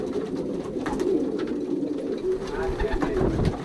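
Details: Racing pigeons pairing in a young birds' loft, Pruszków branch, Poland, 2023 season; low rolling coos from several birds overlap, with a few soft knocks and faint human voice in the background.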